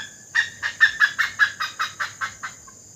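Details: Great Indian hornbill in Assam: a quick, loud burst of about ten harsh, honking barks, peaking early then fading away, against a quiet background.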